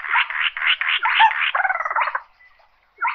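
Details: Slaty-breasted rail giving a flock-gathering call, a continuous grating rattle of fast pulses that ends in a stuttering trill and then a short silence before one more harsh note.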